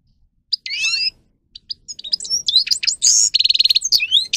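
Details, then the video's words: Grey-crowned goldfinch (Carduelis caniceps) song used to train goldfinches: a tangled twittering phrase, a pause, then a building stream of whistles, a steady buzzy note and a fast regular trill. "(Carduelis caniceps) Goldfinch song Best for training"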